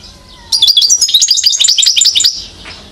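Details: Rapid, tinkling song phrase of about two seconds from a one-year-old European goldfinch in Mouzaia, Algeria, 2012, made of high, jumbled chirps and short trills. A faint low whistle comes just before it.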